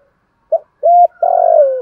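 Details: Thúc gù coo of a spotted dove kept as a lure to excite other doves: a brief clipped note, a smooth level coo, then a long tremulous coo drifting downward. The background is quiet.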